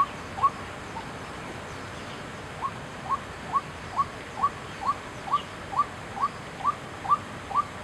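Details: White-breasted waterhen recorded 6 September 2012 at Chiang Kai-shek Memorial Hall: after a single note and a pause, crisp upward-flicking notes repeat evenly about twice per second, growing louder, over a faint hum.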